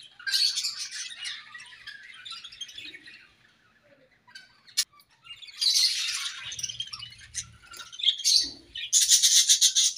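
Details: Budgerigars chirping during playtime: bursts of dense, high, twittering chatter separated by a near-silent pause around the middle, then a loud rattling burst of chirps at the end, with faint low thumps.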